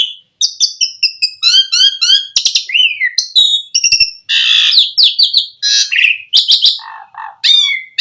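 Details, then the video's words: Song of the Asian pied starling, used to coax starlings into singing: dense, rapid medley of chattering notes, whistles and grating bursts, with a few lower warbled phrases near the end. "Suara Jalak Suren Memancing Burung Jalak Biar Cepat Full Isian Mewah"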